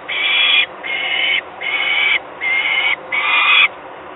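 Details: Young peregrine falcons in Gdynia, Poland, on 28 May 2021. Five harsh, drawn-out screeching calls, each lasting about half a second, follow one another with brief pauses. No other sounds stand out.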